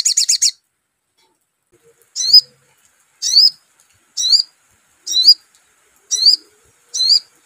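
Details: Crimson sunbird lure call to set off a sogon's song: a short fast burst of high notes, then loud sharp upswept chirps repeated roughly once every second in a quiet setting.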